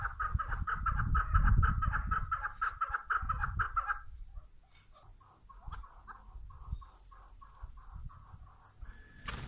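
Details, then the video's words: A female chukar partridge gives rapid, loud clucking chuk notes for about four seconds. A softer, evenly spaced series follows, ending with a brief noisy burst. Low rumble in the first half. "صدای کبک ماده"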